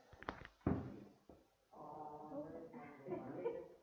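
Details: Human voices with a chant-like, sung quality in a small room; no animal sound is heard.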